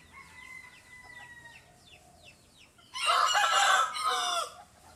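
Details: Bantam rooster gives a loud, raspy crow in two segments late in the recording, after a run of thin, repeated whistled notes from other birds in the background.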